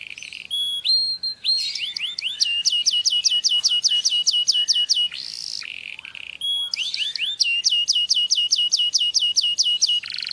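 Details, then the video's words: Canary song offered for teaching another bird: long rolling trills of rapid repeated notes, some rising sweeps and sharp high whistles, continuous and loud over a faint hiss. "علم طائرك هذه التغريدة Teach your bird this tweet Enséñale a tu pájaro este tweet"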